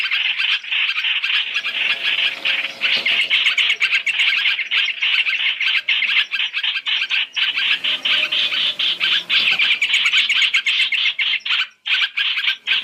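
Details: Lure recording of Chinese hwamei for trapping, three calls in one: long, steady run of harsh chattering squawks, closely packed, dipping briefly near the end.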